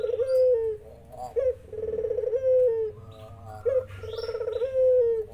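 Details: Local spotted dove calling, with zebra doves answering: deep, hoarse, repeated coos with rolling notes, phrases roughly every two seconds, and some higher chirps in the background.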